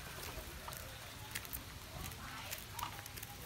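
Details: Steady crackling, rain-like noise with scattered clicks and a faint murmur, but no clear animal call.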